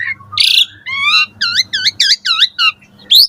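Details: Morning song of a caged Asian pied starling, used for training other caged birds: a harsh buzzy note, then a string of six repeated curved whistled notes and a final rising squeal.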